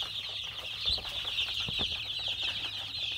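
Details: Many desi chicks kept on a farm in Pakistan give a continuous high-pitched peeping that blends into one shrill band, broken by a few soft low thumps and knocks in the background.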